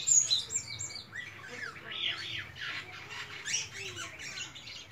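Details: Melodious song of a white-shouldered starling: a jumble of squeaky warbles, slurred notes and harsher squawky phrases, delivered continuously and unevenly.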